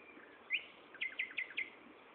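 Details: Afternoon song of a common nightingale, Gaasperzoom, 16 May 2012 at 15.30: one loud opening note, then a quick series of four sharp, falling strokes repeated in rapid succession, with faint hiss behind.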